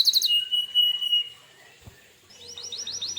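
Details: Canary singing hard as lure song to make other canaries respond: a quick high trill and a sustained pure whistle, a quiet pause, then a series of short rising chirps repeated about four per second.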